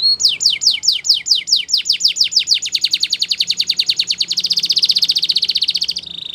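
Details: Song of a Belgian canary offered as training material: descending swept whistles that speed up into an ever faster, dense trill, closing on a short flat whistled note.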